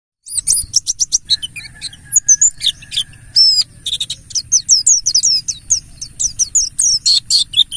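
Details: Mountain white-eye of the buxtoni race, wild-style 'ngalas' lure song meant to set other birds singing: a dense, rapid run of very high, sharp chirps and twittering trills with brief pauses.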